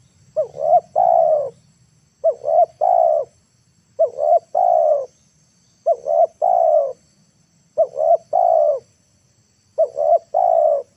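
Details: Lure spotted dove calling to bring wild birds down to the ground; a steady series of six three-note coos, each two short notes then a drawn-out falling coo, spaced roughly every two seconds, with faint low rumble beneath.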